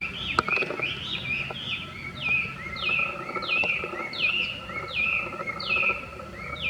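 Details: Chinese hwamei singing beside cherry blossoms, a loud run of repeated slurred whistles, each sweeping down then leveling, delivered about once a second against a steady low hum and faint background noise.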